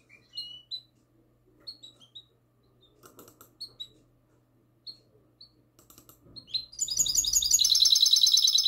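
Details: Goldfinch hybrid, classic-style song taped the night of 22 March 2020. Scattered short whistled chirps and slurred notes build into a dense, rapid, high-pitched rattling trill over a faint steady hum.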